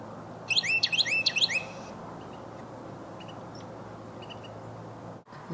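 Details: Carolina Wren, possibly one of a pair on Crown Point Road, Springfield, Vermont, during a Christmas Bird Count on 21 December 2013 between rain storms, gives a loud ringing burst of about five rolling phrases, then faint distant chirps and low outdoor hum.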